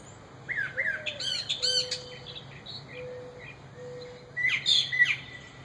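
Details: Backyard mockingbirds, a parent couple with fledglings just out of the nest, give varied squawky and chirping notes, busy early on and again near the end, over a faint low steady tone.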